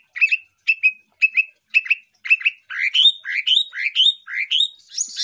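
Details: Greater green leafbird, a champion songbird, gives paired chirps repeated roughly twice per second, gradually shifting into rising, upslurred whistled notes that climb higher toward the end.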